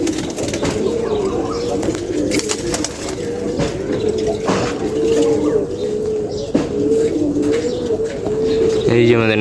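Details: Pigeon reported to be seven years old cooing steadily for several seconds in low, rolling, wavering tones, with occasional clicks and knocks and a brief electronic tone at the end.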